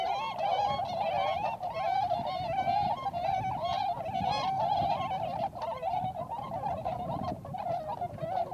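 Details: Tundra swans, wild, at a gathering place in Inzai, Chiba Prefecture, Japan, with American-subspecies swans among them; steady loud flock chatter of hooting, slightly quavering calls, plus a low rumbling background.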